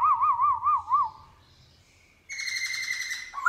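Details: Morning song of a black-throated laughingthrush in wild-style voice: a wavering, undulating whistle repeated five times, a pause, then a long steady whistle ending in a rising note.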